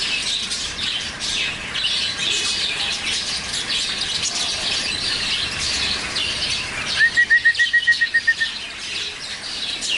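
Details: Young lovebirds chattering together, recorded with a Sony Alpha 6000: steady busy high-pitched twitter throughout, with a quick run of about ten evenly repeated clear piping notes near the end.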